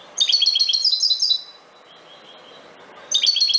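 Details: Wild goldfinch, subspecies parva, delivering a fast run of tinkling, twittered notes for over a second, then a pause of nearly two seconds before another rapid high chirping phrase begins.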